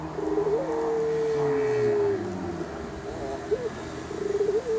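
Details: Javanese turtle dove (puter) singing: low stuttering coos run into a long, steady, slightly falling drawn-out note, then a quiet pause and more short wavering coos, over faint background hiss.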